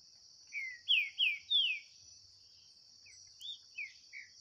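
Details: Green-winged saltator, 2023 contest with a wild bird in the bush. Four strong, slurred whistles falling in pitch in quick succession, followed by four softer descending notes, over a continuous high insect drone.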